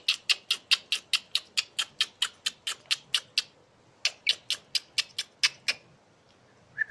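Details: Asian pied starling singing in a way likened to a person laughing: a long run of harsh, raspy, clipped notes repeated about two to three times per second, pausing briefly before a second burst, over a quiet background.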